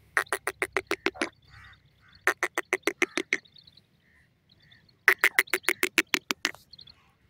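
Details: Partridge calling near a cage, with a female bird sitting on it, startled; three fast series of hoarse chuck notes, about eight per second, with quiet nasal notes between them and a low background rumble.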